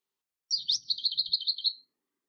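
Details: Lesser whitethroat recorded in Bydgoszcz parkland or botanical garden between April and August 2023 with a Lumix FZ82: a brief scratchy opening note, then a dry, fast rattle of about a dozen even notes on one high pitch, lasting just over a second.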